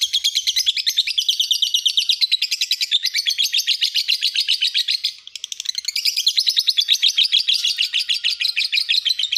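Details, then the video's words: Master song of a lovebird, used to train other birds. A continuous, rapid, high-pitched chattering trill of buzzy pulses runs throughout, with a short pause near the middle before resuming. "Masteran burung lb"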